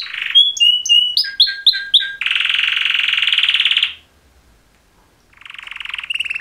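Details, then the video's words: Two male canaries in a mating call: a set of short sliding notes, a dense buzzy roll near two seconds, a brief silence, then the roll starts again. "Super Two Males Canary Mating Call Songs"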